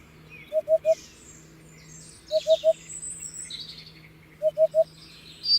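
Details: Three-note bursts of soft, low hooting from a Hoopoe, spaced about two seconds apart, set against busy high-pitched chirping from other birds.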